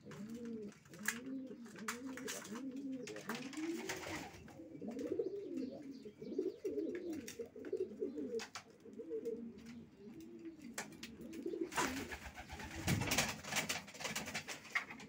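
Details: Several racing pigeons cooing at once, overlapping low rolling phrases that blend into a continuous murmur, with clicks and a burst of rustling near the end.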